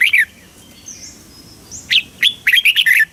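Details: Red-whiskered bulbul from Thailand, a cage bird whose southern master-style song is played to excite other bulbuls and teach young birds; a short chirp, then a gap, then a fast run of bright warbled notes with faint high whistles between.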